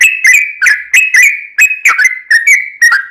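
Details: Energetic 'ropel' song of a yellow-vented bulbul, used as a lure: rich, rolling whistled phrases with quick upward flicks, run together in a fast warbling string.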